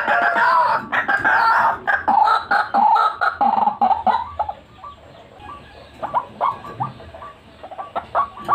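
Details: White-breasted waterhen recording used as a bird lure: grating, overlapping croaks for several seconds, then sparse, soft, clipped notes spaced irregularly, with a harsher note closing.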